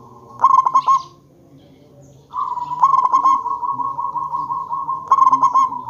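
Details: Zebra dove, a local bird used to lure other zebra doves into answering, repeats a quick bubbling coo of five pulsed notes three times. A steady droning tone runs underneath from midway through.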